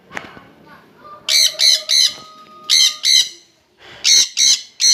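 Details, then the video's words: A pair of Jenday conures together give harsh, high screeches in short bursts, about three a second with brief gaps, over a faint tone and low household sounds. "JENDAY PARROTS TOGETHER HAVING A NICE TIME"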